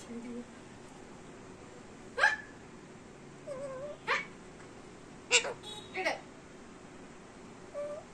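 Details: Talking pet Indian Ringneck parrot: scattered short raspy syllables and a few soft wavering tones, spoken slowly with long gaps in a quiet indoor room.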